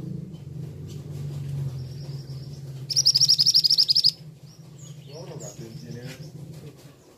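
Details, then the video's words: Male scarlet minivet: a fast run of about a dozen shrill, high notes lasting roughly a second. A low hum sounds in the background, and a few softer chirps come afterward. "'Teriakan' Burung Mantenan Jantan"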